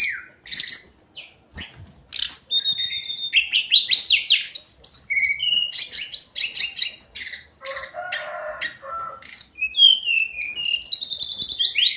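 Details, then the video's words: Extended hill blue flycatcher song with many varied phrases: sweet whistles, upward slurs, quick trills and chattering runs following one another with brief pauses over twelve seconds. "Kicauan harian Tledekan gunung"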